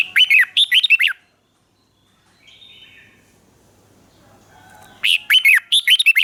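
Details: Thai Red-whiskered bulbul, southern master-style song played to excite caged birds and train chicks: a rapid string of clear, sweeping whistles, a long quiet gap, then another lively whistled phrase.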